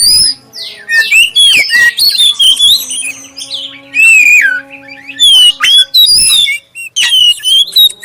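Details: Oriental magpie-robin with a black breast giving clear song as a lure for other magpie-robins: loud, varied phrases of slurred whistles, sweeps and scratchy notes in bursts separated by brief gaps, with a faint steady hum behind.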